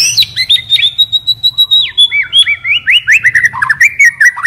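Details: Caged white-rumped shama used as a decoy bird, singing a rich run of whistled and slurred notes, rising and falling sweeps around mid-high pitch, delivered rapidly with a few sharp chips; low steady hum underneath.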